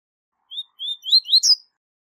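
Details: One tui tui zel zel phrase from a high-level double-collared seedeater, a song used to train young birds. Three upslurred whistles step upward and speed into a bright, buzzy twitter, all within about a second. Background is quiet.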